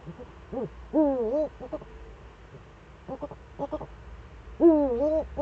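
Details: Eurasian eagle-owl recorded in Germany's Eifel on 4 February 2014: a short rising note, a long wavering harmonic call, scattered clipped notes, then another long wavering call, with a low rumble beneath.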